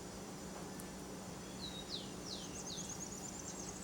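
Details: Wild Saffron toucanet feeding on banana gives four thin, high, downslurred whistles about half a second apart, with fainter high chirps behind and a low steady hum.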